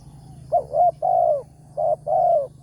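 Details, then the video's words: Spotted dove, a wild target bird with a big voice, heard in the morning at a trapping site where a decoy is set. It gives mellow, hollow coos in two phrases, a short double note then a long falling coo, with a low steady hum beneath. "TEKUKUR SUARA BERSAR"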